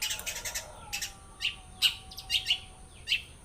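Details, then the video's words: Long-tailed shrike singing mimicked songs: a quick buzzy burst at the start, then scattered sharp chips and short trills, with a faint low steady tone underneath. "cendet blora bongkar isian"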